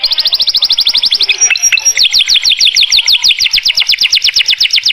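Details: Canary's Mastran song with rich fill: quick regular trill of high notes, a short break of brief whistles, then a fresh roll of repeated downward-sweeping notes at a steady brisk pace.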